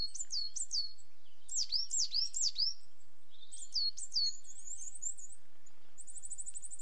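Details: ['Coal tit giving very high, thin two-part notes, each a sharp downslurred whistle, repeated in quick phrases of three or four, pausing, then resuming; a faint high trill closes.']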